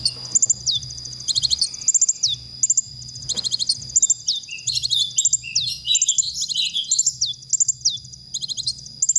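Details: Training song of a konin for stirring up other songbirds: quick clusters of sharp high chirps alternate with bent whistled notes, building to a tangled rapid warble midway, with faint low pulsing beneath.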